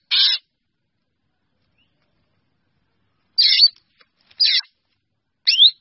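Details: A drongo, calling to its flock, gives four short, harsh, metallic calls, with a long gap after the first and then three in quick succession, against a quiet background.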